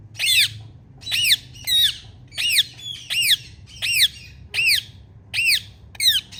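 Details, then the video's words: Female Indian ringneck parakeet calling loudly: harsh, arched, high-pitched squawks repeated about every 0.7 seconds, roughly ten in a row, over a faint low hum indoors. "Ringneck Female Loud Chirping Sound"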